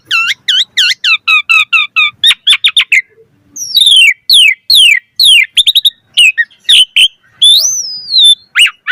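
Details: Lively Asian pied starling song used as a lure for other starlings: a steady series of repeated chirps, then falling slurs, varied squeaky notes and a long wavy whistle.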